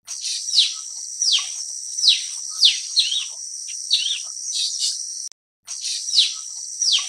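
Blue-winged Leafbird giving quick, sharp downslurred notes, one every half second or so, over a steady high insect hiss.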